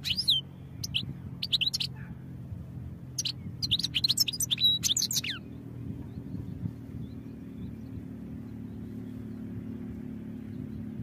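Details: European goldfinch song offered for training, heard as bursts of quick, high, twittering and slurred notes with a few buzzy phrases over the first five seconds, then only a steady low hum for the rest.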